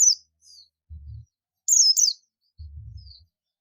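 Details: Buxtomi Oriental white-eye calling its companions with a couple of sharp, high, descending chirps and a faint thin note, separated by dull low knocks.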